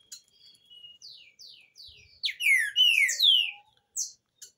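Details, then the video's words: A green-winged saltator song, used to teach a chick, runs through quick descending whistles, then louder, rich slurred phrases sweeping down from high to mid pitch, all within about four seconds. "Trinca Ferro canto para ensinar filhote"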